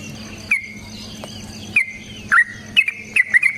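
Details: Fighting song of a yellow-vented bulbul, played to provoke other bulbuls into song: sparse, sliding bright notes at first, then a tighter cluster of chirps toward the end, with a low background hum.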